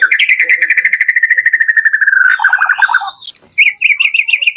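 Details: Lure song of a white-rumped shama, full variation: a long even trill gradually sliding lower, a buzzy chattering burst, a rising whistle, then quick repeated bright notes after a brief pause.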